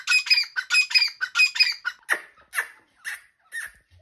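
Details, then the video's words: Dakni partridge breeder pair calling: a fast run of harsh, grating notes repeated about every quarter second, then a slower series of single downward-sweeping squawks, with no other sounds. "New Dakni Breeder Pair Sound | Tetar ki AwaZ"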